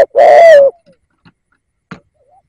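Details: A single long, mellow coo from a decoy spotted dove used to lure wild doves, followed by near silence with a few faint clicks.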